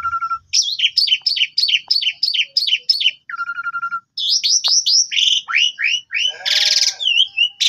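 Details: Javan pied starling lure song to make a quiet bird answer: a quick run of about nine repeated chattering notes, a low whistle, then sweeping slurred whistles and a harsh rasping burst.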